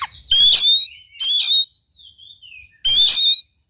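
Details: Oriental magpie-robin song played to encourage a quiet bird to sing: three loud, rich whistled phrases with buzzy overtones, spaced about a second apart, linked by faint soft sliding notes.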